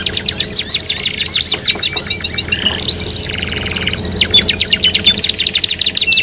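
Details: Canary singing, a 3-in-1 lure track meant to prompt other canaries to sing: rapid trills of sweeping high notes, a dense buzzy chattering stretch midway, then renewed quick rolling trills over a low background hum.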